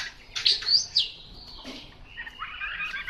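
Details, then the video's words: Chinese hwamei giving soft, scattered song phrases of sharp high whistles and slurred notes, separated by brief pauses, fairly low in volume. "Họa mi mộc"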